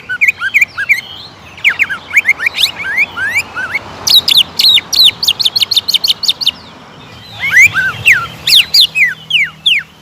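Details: Caged greater green leafbird song used as a lure recording to provoke rivals into emotional, aggressive singing: varied whistled and chirped notes, then a run of rapid repeated sharp downslurred notes, then bright rising and falling whistles.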